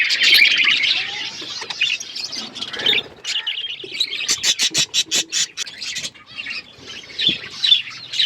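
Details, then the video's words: Budgerigars in a flock while eating, busy high chatter opening, then a run of about ten sharp chirps in quick succession, followed by softer warbling. "Beautiful budgies flocks birds eating food"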